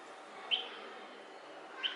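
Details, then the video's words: Red-vented bulbul (Pycnonotus cafer) of a pair in Andhra Pradesh, India, giving two short, bright chirped notes about a second and a half apart over a steady background hiss. "Red vented bulbul voice"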